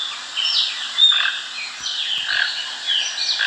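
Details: Toucan at a farm in Brazil, calling while being fed: hoarse, croaking notes that slide downward, repeated roughly every half second in short bursts, with a steady background hiss.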